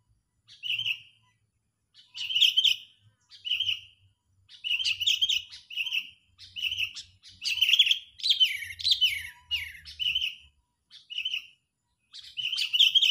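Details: Sooty-headed bulbul giving agitated, angry calls used as a lure for trapping birds: bursts of sharp, chattering chirps repeated about every second, with a few longer scratchy runs in the middle and brief pauses between them.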